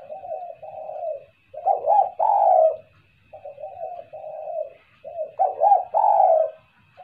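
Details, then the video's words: Lure recording of a spotted dove, soft wavering coos alternating with louder emphatic coos in a repeating phrase, with a faint steady hum behind. "SUARA TEKUKUR,,, buat pancingan suara kuk2...."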